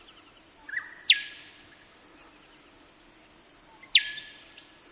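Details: Rufous whistler male in song, Burnett region, Queensland, Australia: a thin sustained whistle building in loudness, then an explosive downward whip, repeated about three seconds later, with a softer phrase after.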